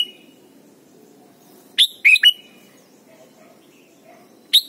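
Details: Red-whiskered bulbul of Thailand in a training song for young birds: a soft opening note, then a burst of three sharp whistled chirps, silence, and one more bright note at the end.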